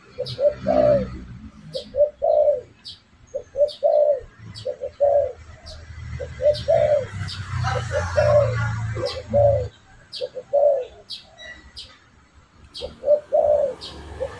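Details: Spotted dove call used as a lure to attract birds: low cooing notes repeated steadily about every second, high faint chirps overhead and a low rumbling hum in the background throughout.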